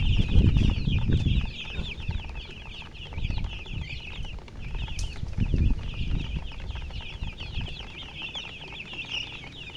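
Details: Baby chickens peeping together in a dense chorus of short, high, slurred chirps, many overlapping notes, over heavy low thumping and rumbling handling noise that swells at intervals.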